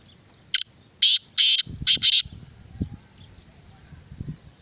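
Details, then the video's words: Black francolin giving a loud, scratchy call of five harsh buzzy bursts in quick succession, followed by soft low knocks and rustling. "Black Francolin kala Teetar"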